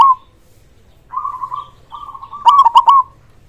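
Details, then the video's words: Local zebra dove song: a soft purring trill near one pitch, then a louder stuttered burst of three bright rolling notes ending the phrase. "Perkutut lokal gacor suara besar - terapi ampuh untuk perkutut macet bunyi dan malas bunyi"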